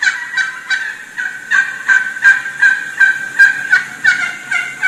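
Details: Wild turkey hen calling excitedly to approaching gobblers from among several hens; steady, evenly spaced raspy yelps, roughly three per second, with slight pitch changes from note to note.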